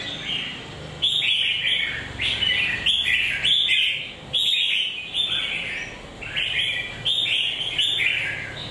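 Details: Red-whiskered bulbul with a peeling beak, delivering lively chattering song phrases about a second long. Sharp whistled notes slide up and down in a steady stream with brief gaps.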